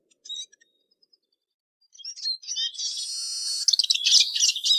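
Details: A few faint high chirps, then a Eurasian siskin launches into a loud, buzzy, wheezing drawn-out phrase mixed with fast twitters.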